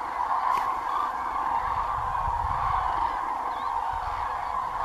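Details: A large flock of cranes flying over the Doñana marshes to their night roost trumpets together in a dense, continuous chorus of rolling, bugling calls with no pauses, over a low background rumble.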